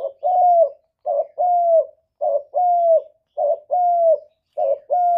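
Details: Spotted dove with a steady rhythm of paired coos, a call meant to make other doves coo back: a short rough note and then a sustained, slightly falling hoot, repeated regularly about every 1.2 seconds against silence.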